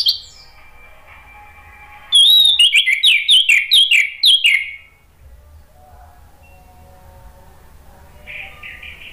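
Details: Male orange-headed thrush singing as a lure to spontaneously prompt other birds to answer: a 2.5-second burst of quick, varied, sharp whistled notes sliding up and down, then near silence and faint hum.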